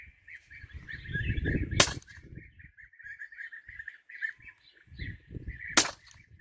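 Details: Hunting scene with a European bee-eater flock: steady overlapping rolling trills throughout, punctuated by two sharp gunshots roughly four seconds apart, over rumbling low wind and movement noise.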